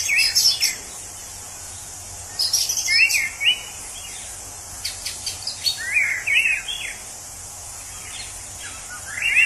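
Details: In the wild, an orange-headed thrush sings in scattered bursts of mixed whistles and rapid chattering notes, roughly every three seconds, against a continuous high insect drone.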